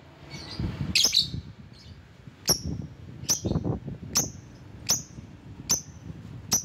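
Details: Lovebird calling rivals: a harsh squawk, then a steady series of short, sharp, high chirps spaced just under a second apart, over low background rumble.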